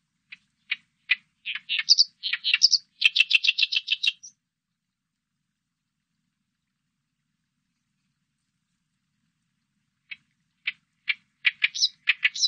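An Oriental reed warbler sings loud, harsh, grating phrases of rapid chattering notes, a four-second burst, then a pause and another phrase, with no other sounds.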